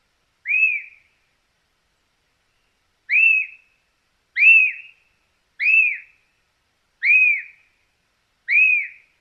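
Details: White-crested Elaenia from Argentina giving a clear, downslurred whistled note, repeated about six times at irregular gaps of roughly one to two seconds, with silence between notes.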